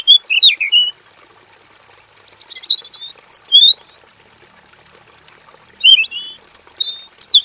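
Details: Varied song from a robin kept in a simple aviary: repeated short phrases of sharp chirps and slurred whistles, some sweeping down, others rising, spread across the clip above a constant thin background whine.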